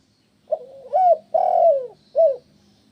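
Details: Spotted dove call used to draw other doves into answering: a soft short coo, a rising note, a long mellow descending coo, then a brief final coo, all low and hollow over a faint hum.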